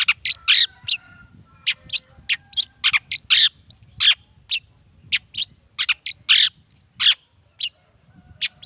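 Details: Active long-tailed shrike song for provoking other shrikes to sing back; a continuous run of mixed scratchy notes, sharp chirps and short whistles with a few faint lower tones behind.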